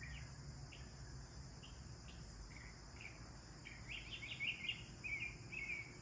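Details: Sparrows chirping while bathing give short, bright chirps at an uneven pace, growing busier and louder toward the end, over a low rumble and a steady high hiss.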